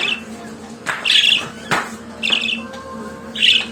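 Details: Pet budgerigar singing indoors: three bright, squawky chirps around the same high pitch, spaced about a second apart, over a steady low room hum.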